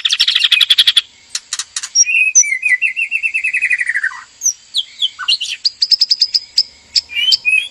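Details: Male and female white-rumped shama in a breeding enclosure, courtship arousal before mating: a fast rattling trill, a long series of descending whistled notes, then quick repeated high chips.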